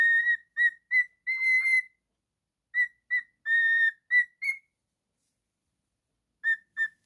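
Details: Male cockatiel singing at home, clear repeated whistles with a couple of longer sustained tones, a long pause, then two final short whistles.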